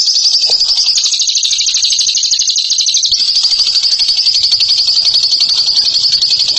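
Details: Bird delivering ngekek, a long unbroken high trill: rapid, even chattering notes run for over six seconds without a pause, with a slight surge in intensity near the start.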